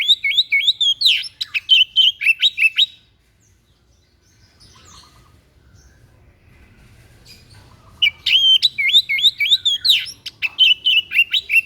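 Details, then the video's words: White-breasted bird, an unusual song used as a master recording for training other songbirds: rapid high whistled and chattering phrases for about three seconds, a quiet pause with faint background hum, then the lively phrases resume. "SUARA ANEH SI DADA PUTIH"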